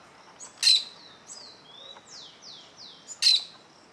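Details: Plain parakeet (Brotogeris tirica) near its nest, alarmed at an observer too close to it, giving two loud, harsh screeches about two and a half seconds apart with thin, high, downslurred chirps between them.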